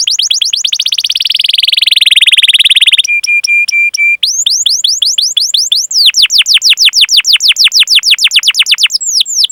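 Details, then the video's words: Canary rolling master song for lure training: a long buzzy trill that slowly falls in pitch, a few flat pure piping notes, then many repeated rising chirps in quick rhythmic series. "Masteran Suara Burung Kenari Gacor Panjang cuit cuit Ngerol untuk Pancingan Kenari!"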